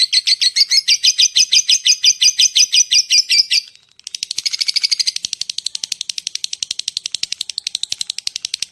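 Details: Lovebird giving a ticking and long cackling call used to lure other lovebirds: a fast run of sharp, evenly spaced chirps, then a brief pause and a denser, buzzier chattering series of rapid clicks.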